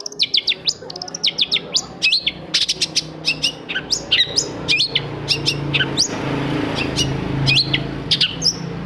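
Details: Long-tailed shrike song, a recording played to stimulate silent shrikes into singing morning, noon and night: a rapid, dense run of sharp whistled and chattering notes, many high and brief, over a steady low hum.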